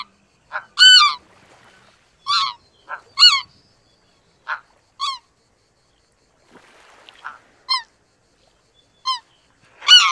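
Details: Greater white-fronted geese give high, yelping, rich-toned honks, some sharply down-inflected, about a dozen in ten seconds at an irregular, overlapping pace.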